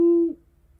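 A great horned owl gives a single short, low, steady hoot lasting about a third of a second. It ends abruptly into near silence.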